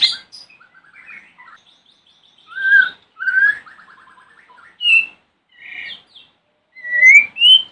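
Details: White-rumped shama morning song used to make other shamas answer: varied phrases with a rattling trill, sharp whistles and upslurred notes, separated by short gaps.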